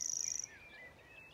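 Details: A Grasshopper Warbler in Maridalen, Oslo, on 1 June 2022, gives a brief, high, insect-like reeling trill of very fast ticking pulses that stops abruptly; faint whistled notes from other birds follow.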